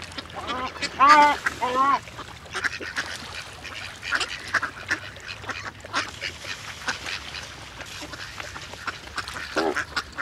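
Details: Many ducks swimming together on the water and calling together, alongside great white pelicans: a burst of loud nasal quacks early on, then scattered softer calls and splashy noise.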